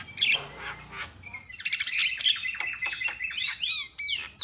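Javan myna giving a loud, rapid run of harsh squawks mixed with clear whistles and sharp chatters, all high-pitched and continuous.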